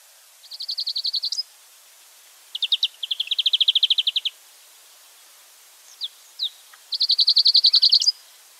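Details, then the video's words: Wild European greenfinch delivering clear, evenly spaced rattling trills of about a dozen notes each, with two isolated sharp chips in a gap before a last trill. "chant et cri du verdier / song & call of greenfinch"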